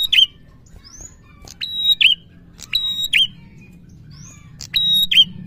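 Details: Prinia singing in the lively, drawn-out gacor ngalun style, meant to stir a quiet prinia into song: sharp, high whistled notes, each level then flicking downward, with thin rising squeaks, repeated roughly once a second over a faint low hum.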